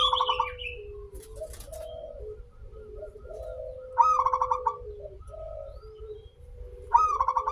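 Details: Local zebra dove, a lively singer with a long opening, used as a lure to make other zebra doves sing: rapid stuttering coo phrases repeated about every three seconds, over continuous lower tonal hooting from other birds.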